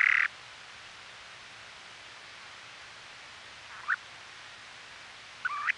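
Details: A western snowy plover gives three short, clipped mid-range calls, one at the start and two near the end, over steady surf hiss, captured by a trail camera during the 2018 nesting season on Ormond Beach, Oxnard, California.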